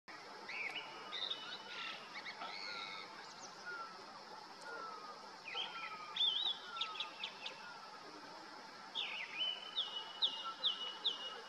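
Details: Male Grey-winged Blackbird singing from a deodar twig in the Uttarakhand Himalaya in summer, territorial song carrying down the valley: scattered whistled and trilled phrases, then a rapid run of bright notes near the end, over soft repeated lower descending calls.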